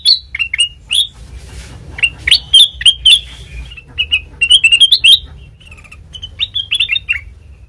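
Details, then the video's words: Lure song of a black-crested bulbul for bird trapping: quick, varied, warbled notes tumbling up and down in short bursts separated by brief gaps, clear over a faint low hum. "Suara Asli Kutilang Emas Pancingan Pikat Masteran"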